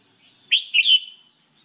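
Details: Jambul bulbul, the red-whiskered bulbul, in singing training: one cheerful whistled phrase, a rising note followed by a warbling, slightly longer slurred note.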